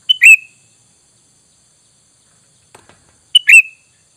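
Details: Sooty-headed bulbul lure call, used for luring and said to draw an immediate reply from wild bulbuls: two bright, quick chirps with a falling slurred note, then silence, then another matching chirp pair near the end.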